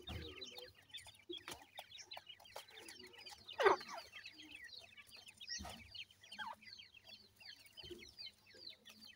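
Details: Chicks of grey francolin, locally dakhni teetar, keep up a steady stream of tiny falling cheeps in many overlapping voices, with occasional sharp clicks and bumps from nearby handling.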